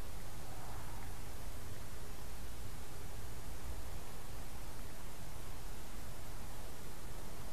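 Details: Even broadband hiss like static fills the recording, with no animal call.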